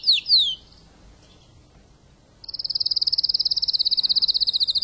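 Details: Spanish timbrado canary, a tutor male after moulting: two loud falling whistled slurs, a pause of near silence, then a long fast metallic trill held steady.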